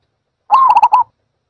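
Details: One short zebra dove call, a soft drawn-out first note followed by a fast stutter of four clipped coos, all in under a second, clean and isolated.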